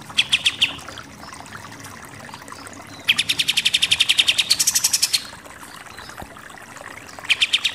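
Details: Pied triller, called kapas tembak, in a super 'nembak-nembak' shooting song. An opening flurry of chips is followed by a silent gap, then a long, fast, even burst of high notes and a final short run.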